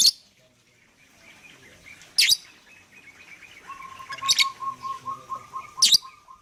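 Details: Lovebird calls to draw other birds into singing: loud harsh shrieks roughly every two seconds, while another bird keeps up a pulsing mid-pitched trill in the background during the second half.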